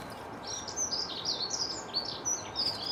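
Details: Sooty-headed bulbul, called kutilang banteng, giving a run of high, sharp chirping and twittering notes in quick succession over a steady low background hum.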